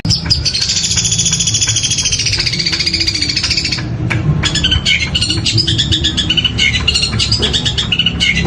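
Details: Long-tailed shrike mimicking woodpecker sounds. A long, high, buzzy rolling trill runs for about four seconds, then turns into quick varied chips and short whistled phrases, all over constant low background hum.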